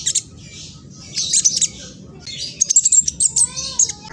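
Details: Phone recording from East Java, Indonesia, of a speckled young mistletoebird singing rapidly to provoke rivals. Two short scratchy bursts come first, then a run of quick piercing chips and a faint rising whistle.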